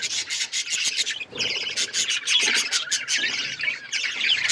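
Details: Budgerigars in a breeding setting, chirping and chattering: dense, fast, overlapping chirps and warbles with rasping notes, continuous across the clip, with a brief dip just after one second, from several birds calling together.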